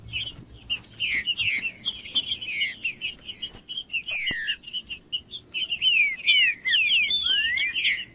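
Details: Captive green-winged saltator, sung to warm up another bird: a long, busy stream of whistled slurs and chirps, with a strong falling phrase midway and a smooth rising whistle near the end, over a steady faint high tone.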